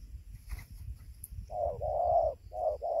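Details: Spotted dove in Gia Lai, Vietnam, recorded 24 November 2020 at 5:20 at dawn near its roosting tree during a lure session. A short low coo is followed by a longer drawn coo and a brief final pair, with faint rustling below.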